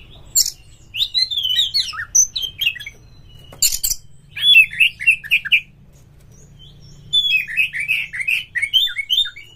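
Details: Lure song of a caged oriental magpie-robin, used to push other magpie-robins to sing and fight: phrases of bright chirping and whistled notes, several quick descending runs, broken by clicks and short silences.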